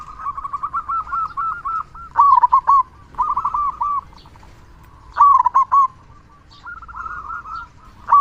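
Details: Zebra dove song from a local bird, played to coax reluctant doves into singing; rapid rolling coo trills alternating with louder clipped bursts roughly every three seconds.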